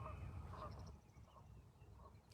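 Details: Distant geese give soft, nasal honks about every half second to second over a steady low rumble, on a beautiful spring morning.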